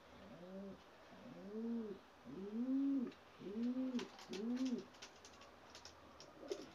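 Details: Young pigeons, Gök Alaca bred from white Ges stock: a series of five soft low arched coos, each rising and falling, about one a second, over room hiss with faint scratching.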